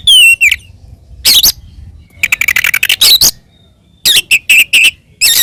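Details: Oriental magpie-robin fighting song aimed at provoking rivals: scattered loud harsh bursts and short whistled notes, a fast stuttering series in the middle, separated by quiet gaps.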